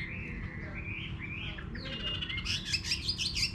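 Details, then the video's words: Chinese hwamei in a rural garden, quieter and more distant, giving wavering whistled phrases that turn into rapid, bright repeated notes in the final second, over a steady low hum. "Nghe Chim Họa Mi Hót"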